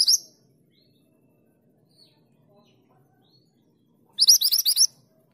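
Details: A mountain mantenan female calls the male, a quick volley of about eight shrill rising notes following a long quiet gap, with the end of an earlier burst at the start.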